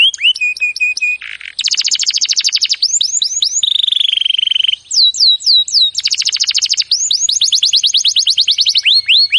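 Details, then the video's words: Canary song for training: varied phrases of sweeping whistles, rapid buzzy trills and a sustained flat warble, switching tours every second or two. "Birds song Canary ❗suara Burung Kenari !!"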